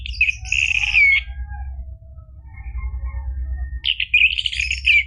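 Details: Orange-headed thrush singing, played to encourage a caged bird to start singing: a rich, loud warbled phrase with slurred whistles, a lull with faint thin notes, then another strong burst of varied whistled song; low background hum throughout.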